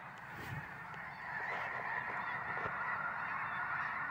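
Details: Flock of snow geese honking, a busy mass of overlapping nasal calls that swells louder after the first second, with a few sharper individual yelps standing out.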